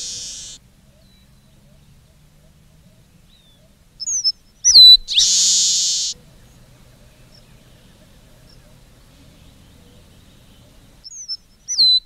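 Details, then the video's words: Red-breasted meadowlark (Leistes militaris) song: a quick, sharp high note or two, then a long, harsh, buzzy wheeze, repeated after several quiet seconds. "Canto do Polícia Inglesa do Norte / Leistes Militaris"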